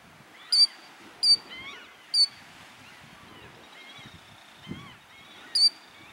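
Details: On an evening at Birch Bay, Prince Albert National Park, Saskatchewan, a female plover sitting on four eggs gives four sharp, high, piercing alarm notes at uneven intervals to drive people from her nest; softer chirps of other birds and a low rumble behind.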